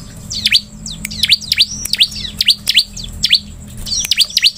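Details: Bar-winged prinia song used as a lure to make other ciblek sing: sharp, high notes swooping steeply down then up, repeated rapidly in quick series over a low steady hum.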